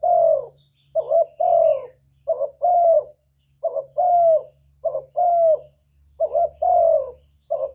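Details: Spotted dove cooing, a call used to lure and stir up other doves. Repeated two-part phrases: a short stuttered note, then a longer mellow coo sliding slightly downward, with a faint low hum underneath.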